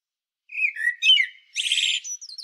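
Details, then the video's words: A common blackbird sings on Medvednica Mountain, City of Zagreb, Croatia: low fluted warbles, then a harsh buzzy rattling twitter and thin high squeaks; filmed using a Panasonic Lumix DC-TZ90. "Blackbird Song"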